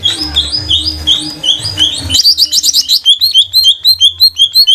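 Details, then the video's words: Green leafbird of the trotol type from Banyuwangi, a caged lure bird for prompting song. Mixed whistles give way to a fast chattering run of short repeated notes, about three each second, over a faint low hum. "Pancingan burung CUCAK IJO TROTOL GACOR agar jamtrok"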